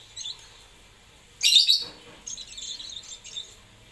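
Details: Lovebird giving a loud shrill chirp burst around the middle, followed by softer high chattering twitters; quiet background otherwise.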